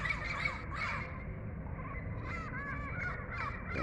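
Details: Two wild pairs of Turquoise-fronted Amazons (Amazona aestiva) heading off give harsh, nasal squawks and rolling screeches in quick, uneven bursts over a steady low rumble of background noise.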